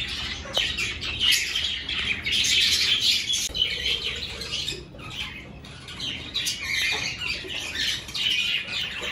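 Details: Aviary budgerigars at breeding-season start, pairs selecting clay nest pots; bursts of busy chirping and warbling from many birds, rising and falling in loudness, with a brief quieter lull midway and occasional squawks.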